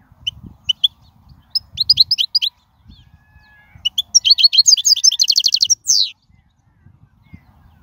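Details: European goldfinch wild song, for teaching young birds, scattered high chirps building into a dense, rapid twittering phrase with trilled repeats and a final buzzy downward slur, around faint low background noise.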